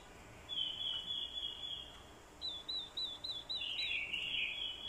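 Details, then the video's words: Orange-headed thrush used as a lure, singing its fighting song, set off by a female's calls. A sustained warble is followed by a string of short hooked notes and a rougher trill, over steady background hiss. "Chim Quế lâm mồi, hót đấu cực hay. kèm tiếng quế lâm mái, kích trống hót đấu hay."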